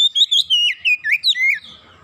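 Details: Oriental magpie-robin singing briskly after a lure sound: about eight clear whistled notes in quick succession, some wavering, some sliding lower, ending in a falling note.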